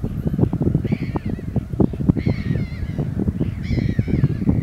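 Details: Pied avocets at Nesyt pond, Czech Republic, give clear, fluty 'kluit' notes in short bursts about once a second, over steady low wind rumble.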